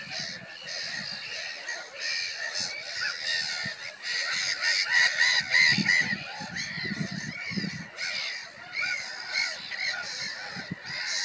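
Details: Black-headed gulls calling in a dense, continuous chorus of harsh, nasal, overlapping squawks that rise and fall in loudness, several cries per second with no pause.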